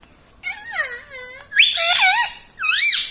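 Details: Pet green ring-necked parrot kept indoors, trained to talk and say words like Mummy, Papa and Mitthu; loud squeaky harmonic phrases with swooping rises and falls, three separate bursts in a small room.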